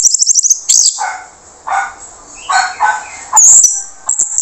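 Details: Orange-headed thrush singing in a harsh, rasping voice, used to coax quiet birds into replying. A fast high trill opens, then coarse buzzy phrases alternate with piercing high squeals over a steady hiss.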